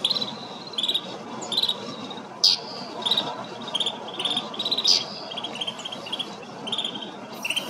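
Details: Snow buntings calling in Kananaskis, Alberta, Canada: short buzzy rattles and sharp high chips repeated in uneven bursts over a steady, broad rushing noise.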